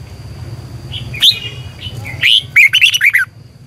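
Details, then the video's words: Red-whiskered bulbul with a long double twisting voice, singing to stimulate other bulbuls in morning training. A few soft whistled notes over a low rumble, then a loud, quick, tumbling phrase of rolling notes. "Luyện chào mào hót sáng 2020 - Ép chào mào hót Giọng kép xoắn dài hay tuyệt, luyện chào mào hót"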